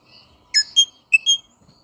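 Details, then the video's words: Rosella giving four clear, ringing whistled notes in two pairs. "Different Rosella Bird Sounds"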